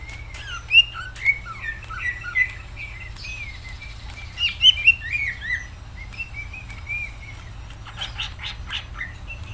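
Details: Greater green leafbird singing energetically: a varied, rich run of sharp chirps, slurred whistles and trills in bursts, pausing briefly before a further flurry, with faint scratchy noises near the end.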